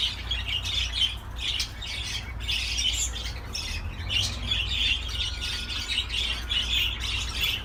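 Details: Budgerigar chatter: bursts of squawky, scratchy chirping separated by short gaps, one thin whistled note drawn out midway, over a low constant hum.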